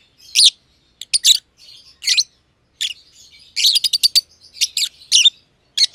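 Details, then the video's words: Green and green pied personata lovebirds, close friends kept in an aviary; the green bird not yet a year old. Sharp isolated chirps, then a fast rattling run of five or six notes, followed by wavering squeaky calls. "Lovebird Chirping Sounds"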